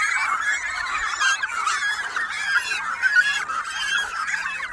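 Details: A cormorant breeding colony on Bonamy Rock, Dalhousie, New Brunswick, in June fills the air with a dense, unbroken chorus of harsh, overlapping nasal calls from many birds at once.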